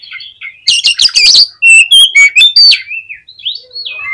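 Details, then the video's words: Lively Oriental magpie-robin song meant to stir up other magpie-robins: a harsh buzzy burst, then a quick run of sharp ringing whistles and softer wavering notes at the end. "CUKUP DI PLAY 3 MENIT BIKIN KACER LANGSUNG EMOSI TINGGI !!! PASTI CEPAT ON"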